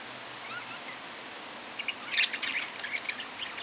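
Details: Budgerigar chatter: faint rising whistles early on, then a burst of rapid, scratchy high-pitched warbles and clicks in the second half.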